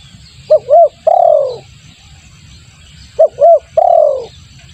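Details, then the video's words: Spotted dove lure call: two short rising coos followed by a longer, drawn-out falling coo, the phrase given twice about two and a half seconds apart, with low rustling in the background. "suara pikat tekukur bagus untuk pancingan"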